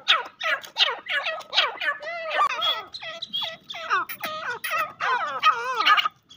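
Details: Irani francolin calling in a dense run of harsh, rapidly repeated squawking notes with bending pitch, continuing for over six seconds with almost no pauses.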